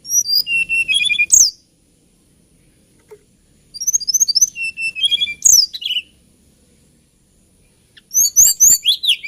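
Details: Hill blue flycatcher, called tledekan gunung, a songbird of Java and Kalimantan with a lilting voice, repeating a high, warbled phrase of descending slurred notes three times with pauses of about two seconds.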